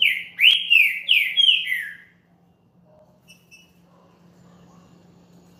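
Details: Champion green-winged saltator song played to warm up another caged bird: four loud, clear whistled phrases slurring downward, each rich and slightly buzzy, in quick succession, followed by near-silence with a faint low hum.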